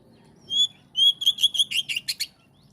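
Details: Oriental magpie-robin song: a clear whistled note, then a quick run of loud, repeated whistles and sharper chirps lasting about a second and a half.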